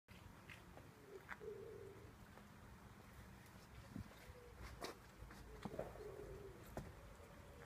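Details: Wood pigeon cooing in a garden, two soft low hoarse coo phrases near the start and end, amid clicks, rustling and background noise.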